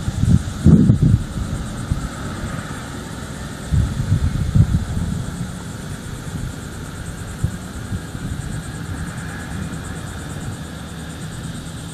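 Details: Wind and low engine-like rumble with a few thumps and rustles, no clear animal call heard.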